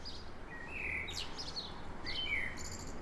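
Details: A common blackbird (Turdus merula) sings in the morning, two mellow, fluting phrases, each trailing into a high squeaky twitter, over a low steady background rumble.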